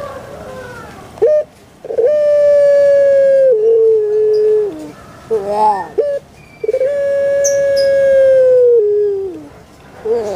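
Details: Puter pelung dove from Java, Indonesia, repeating its phrase twice: sharp clipped notes, a long held tone falling in steps, rough gurgles, then another long drawn-out whistled coo.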